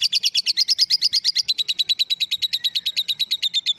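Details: Female lovebird in ngekek: a rapid run of sharp, high chattering notes, about three per second, evenly spaced, holding a steady pitch with a slight downward drift.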